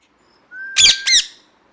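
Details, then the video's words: Parrot calling: a thin steady whistled tone, then two harsh, rasping screeches in quick succession, each with many stacked bright overtones, in a quiet setting. "Parrot Natural Sounds"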